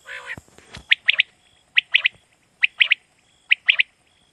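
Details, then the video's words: Common quail at night with short, sharp triplet calls repeated roughly every 0.9 seconds, opening with a brief harsh squawk-like sound. "Common quail sound best awaz night"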